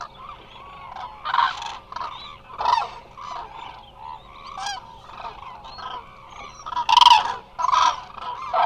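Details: Many Eurasian cranes at rest in Israel's Hula Nature Reserve call back and forth, a stream of overlapping rolling trumpets rising and fading, one strong burst near the end, steady hum beneath.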